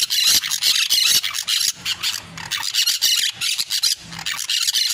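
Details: Parakeet song as loud, harsh chatter: rapid squealing and grating notes in dense runs, briefly dropping quieter mid-way before resuming, with a faint low hum in the background.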